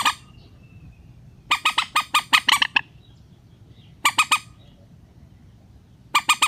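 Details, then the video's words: Lure recording of a rail for bringing birds down into nets: a long fast series of harsh, nasal notes, then shorter bursts of three, with a faint steady whistle-like tone early on. "PIKAT BURUNG MANDAR SUARA SANTAI"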